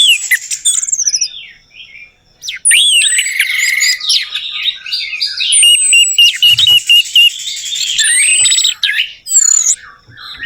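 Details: Orange-headed thrush song played as a lure to get a silent bird singing: a dense, varied stream of high whistles, upslurred notes and rasping buzzes, with short pauses near two and nine seconds.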